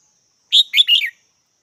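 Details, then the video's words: Red-whiskered bulbul giving one short, bright three-note phrase: a clear first note, then two quick warbled notes sliding up and down, in a quiet background. "Chào mào mắt chắng"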